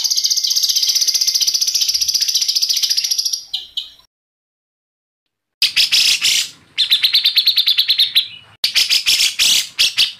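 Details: White-rumped shama in excited, agitated song. A sustained high, buzzy trill is followed by a gap, then bursts of rapid, harsh, rattling notes and chattering phrases.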